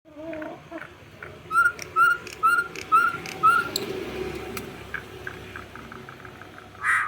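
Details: Campo troupial singing a run of five clear whistled notes, evenly spaced about half a second apart, over steady low background noise, followed by scattered fainter calls.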